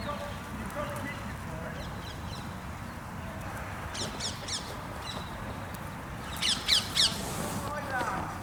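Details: Carrion crows, a territorial pair in a park feeding on cashew and Brazil nuts in cold weather, give harsh, rasping caws in two short bursts, three quick calls then a louder cluster, over low steady background rumble.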